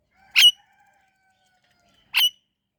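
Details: Indian ringneck parrot giving two short, shrill, harsh calls nearly two seconds apart against a quiet background.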